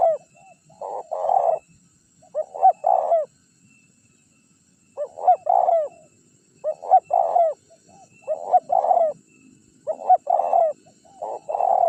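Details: Spotted dove lure call meant to provoke wild rivals into coming. It gives grouped coo phrases, each with short upswept notes leading into a longer burry coo, at uneven intervals and with one long gap.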